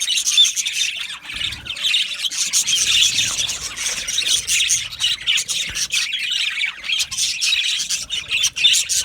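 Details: Colony of Australian budgies in an aviary, a steady wash of chirps, chattering warbles and scratchy squawks from numerous birds, bright and high-pitched, with no pauses.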